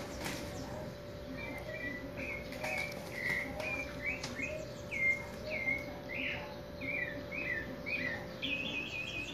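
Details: Chopi blackbird practising its song, kept by a breeder: short chirped and slurred notes repeated steadily, about one per half second, over a constant low hum and faint background noise.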